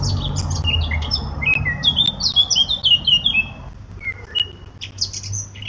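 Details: Eurasian blackcap delivering a hurried, varied warble of quick high twittering notes in uneven runs, a low rumbling hum in the background and a short pause midway.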